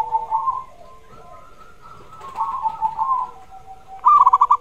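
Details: Zebra dove kept to encourage another bird to sing, giving soft wavering coos and hums, ending in a brisk string of looping notes.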